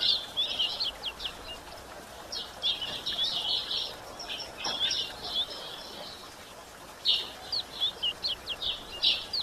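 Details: Female white-throated seedeater chirping to stimulate males: bursts of sharp, high twittering chirps in clusters of several notes, pausing between runs, with a steady background hiss.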